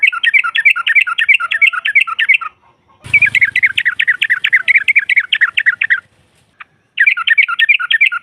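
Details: Female yellow-vented bulbul singing to provoke rivals: sustained, fast, rolling chatter of bright warbled notes in three long phrases, broken once by a brief low thump.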